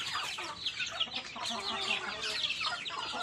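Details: Several chicks peep continuously as they feed, giving thin, high, downward-slurred notes several times a second that overlap into a busy chirping chorus.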